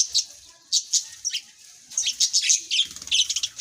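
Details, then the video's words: Birds chirping in short, high, sharp bursts, with quick tweets clustered in bright flurries separated by brief quiet gaps. "birds soothing birds chirps sound amaizing"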